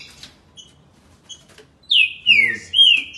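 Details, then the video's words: Quiet start with faint chips, then a green-winged saltator in Campinho, Jacarepaguá, Rio de Janeiro, bursts into three loud, pure whistles sliding downward, the last one flattening out. "trinca ferro. o velocista."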